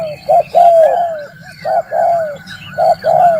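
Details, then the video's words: Spotted dove calling as a trapping lure: three loud phrases, each a clipped first note then a drawn-out coo sliding downward, about one phrase per second, with faint high thin whistles in the background. "Tiếng chim cu gáy mồi kích bổi đá lụp"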